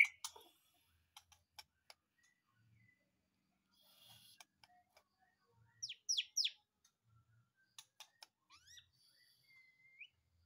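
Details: White-rumped shama, just taken from its breeding cage and singing vigorously, giving scattered high notes: sharp clicks, a few quick downslurred whistles, then rising and level clear whistles near the end.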